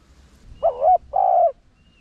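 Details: Low mellow cooing of a spotted dove in the 'Rặc Đồng' voice style, used to lure wild doves: a short wavering coo, a brief pause, then a longer, steady, slightly falling note, with quiet background.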